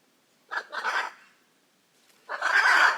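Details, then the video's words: Hyacinth macaws, the largest parrot in the world, calling in the Pantanal of Brazil: two harsh, raspy squawks, then a long grating screech after a short pause. "The raucous sounds of Hyacinth macaws"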